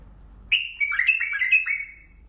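A bulbul gives one quick, bubbly whistled phrase of about six slurred, liquid notes, with a clear ringing start, lasting under two seconds against a quiet background.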